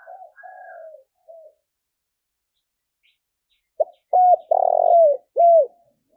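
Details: Spotted dove coo used to stimulate freshly caught doves into frequent cooing: faint distant coos first, then after a pause a loud phrase of a click, a short coo, a long trilled falling note and a final curved coo.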